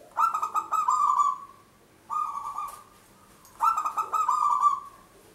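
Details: Prolific local zebra dove singing, its voice used to lure birds for trapping: three loud, throaty, trilled coos, each a rapid rolling burst, the middle one shorter and weaker, separated by quiet gaps.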